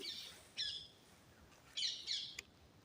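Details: Parakeets calling live in deep forest at Kuldiha jungle, Odisha, India, beside a waterhole where animals come to drink; four harsh, raspy squawks in two pairs, high and harmonic-rich, over quiet forest background.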